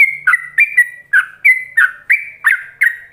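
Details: A yellow-vented bulbul delivers rapid ropelan song, meant for other bulbuls to imitate: clear fluting notes, each a short high slide dropping to a lower warble, repeated about three times a second without pause.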